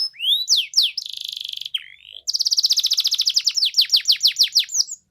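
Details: Gacor canary song meant to coax silent canaries into answering: rising whistles, a dry buzzing trill, a brief slurred note, then a long rapid roll of bright chirps breaking into looping swept notes.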